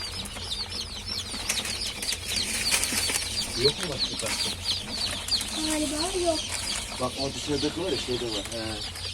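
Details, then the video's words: A crowd of newly hatched domestic chicks, just starting to hatch, peep nonstop in shrill, high, rapid notes, with a person talking quietly partway through. "Civciv Sesleri Gelmeye Başladı!!"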